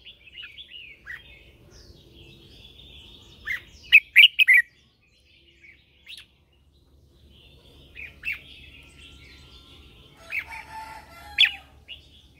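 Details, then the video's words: Red-whiskered bulbul lure bird in morning song, meant to excite other birds into singing: scattered warbles building to a rapid run of loud chirps, a pause, then rolling whistled phrases with more sharp notes. "Chào mào mồi hót gọi bổi"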